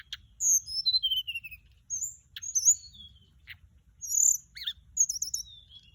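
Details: Thin, high warbled phrases of a Mugimaki Flycatcher lure sound, starting with a cascading descending series, then scattered whistles and buzzy trills.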